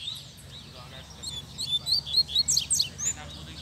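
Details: Double-collared seedeater singing firmly in the bush late in the day: a quiet start, then a rapid string of high, sharp whistled phrases rising and falling, about two notes per second, with a soft background hum.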